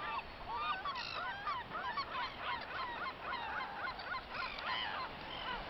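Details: A feeding flock of gulls makes a dense chorus of yelping, rising and falling calls. Many birds overlap continuously with no pauses.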